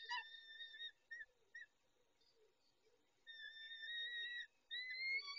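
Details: Nesting peregrine falcons on the evening of 23 May 2021, the male looking after the females; quieter whining calls, a few short notes and then two longer drawn-out wails, with a soft low murmur beneath.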